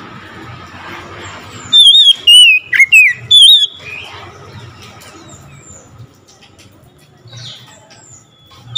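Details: Oriental magpie-robin breaking into song on hearing another of its kind: a short loud burst of varied whistled phrases with sharp upward and downward slurs, set against a steady murmuring background hum and faint distant chirps.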